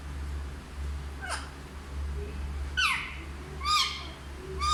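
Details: Hindi-speaking talking parrot: four brief, nasal, speech-like bursts, each sliding downward, coming faster toward the end, set against a steady low electrical hum.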